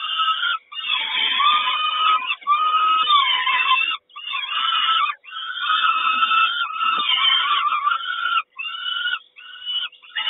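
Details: Peregrine falcon at a nest in Kawęczyn, 3 June, the mother bringing breakfast; harsh, grating, wailing calls in long strained bursts, repeated with brief pauses between, some rising and falling in pitch.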